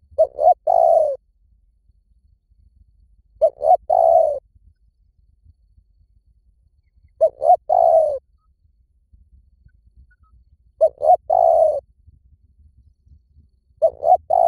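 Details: Spotted dove call played as a lure: five phrases of low, soft cooing, each two quick short coos followed by a longer, drawn-out croon, repeated roughly every three and a half seconds over a quiet background.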